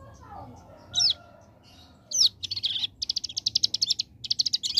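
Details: Hill prinia (ciblek gunung) singing in the rapid 'ngebren' AK47 style: two sharp high chips, then from mid-clip a fast machine-gun trill of high buzzy notes, briefly broken and resumed, over a faint low hum.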